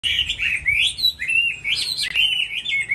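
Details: Chinese hwamei singing in a contest during the moulting season: a rich, continuous warbled phrase of sliding whistled notes that rise and fall without pause, with one brief drop near the end.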